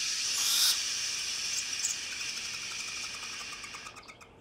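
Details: Captive male barn owl, a human imprint hatched in 2004 at the Southeastern Raptor Center in Alabama, gives a long, breathy, high hiss like drawn-out shushing, loudest near the start, then fading with a few faint chirps.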